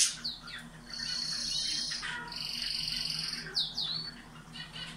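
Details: Caged canary singing to encourage breeding: long sustained whistled tones broken by quick rising and falling slurred notes, over a low steady background hum.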